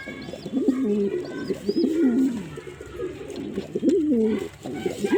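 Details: Male pigeon giving rolling, undulating coos in three phrases, with faint high whistled chirps of other birds.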